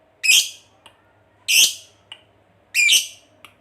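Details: Fighter lovebird kept for song, giving three loud, shrill, squawking chirps spaced about one and a quarter seconds apart, each followed by a faint short echo-like note, over a low steady hum.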